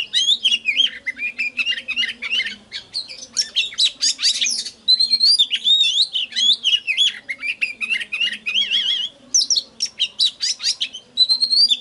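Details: Oriental magpie-robin singing a rich, varied stream of clear whistles, slurred notes and scratchy chatters, high-pitched and nearly continuous with brief pauses; a lure recording used to stimulate other magpie-robins to sing.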